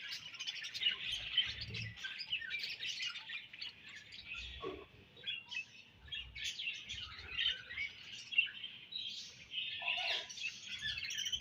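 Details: Softer, more distant budgerigar chirping in breeding season, a continuous flock warble of tweets and trills over faint low background rumble.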